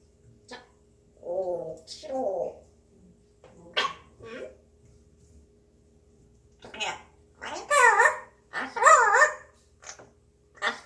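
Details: Grey parrot humming to itself on a day when it seems to be in a good mood. Wavering, voice-like warbles and sharp clicks come in separated bursts with short pauses between them, growing louder and busier toward the end.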